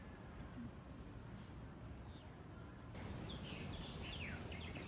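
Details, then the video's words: Birds singing beside the grave of the painter Gauguin on Hiva Oa, Marquesas Islands, French Polynesia; quiet low rumble at first, then a run of short high chirps and thin trills in the second half. "On entend même les oiseaux chanter."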